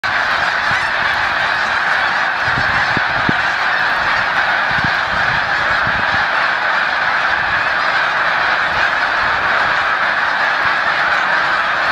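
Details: Thousands of Snow Geese at Assateague on December 29, 2011, resettling onto a lake after being startled into the air: a dense, continuous roar of overlapping honks and yelps with no single voice standing out.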